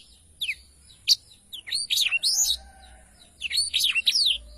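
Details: Black-throated canary in lively song used for tutoring songbirds: scattered sharp high notes build into bursts of rapid sweeping, slurred whistles, with a brief pause before another twittering phrase.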